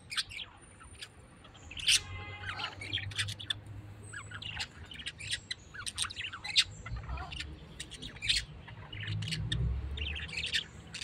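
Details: A tame pet parrot chatters steadily with rapid high chirps and rasping squawks, bursts coming irregularly every second or so, with low rumbling noise underneath.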